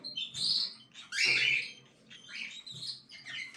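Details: Young cockatiel chicks calling with rough, raspy, squealing bursts, one long loud burst in the middle among shorter overlapping cries.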